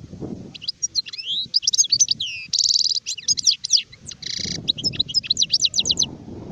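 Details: European goldfinch, an adult sharef bird recorded in 2019: fast liquid twitters and downslurred whistles broken by two harsh buzzy bursts, ending in a run of quick repeated ticking notes, low background rumble at start and end.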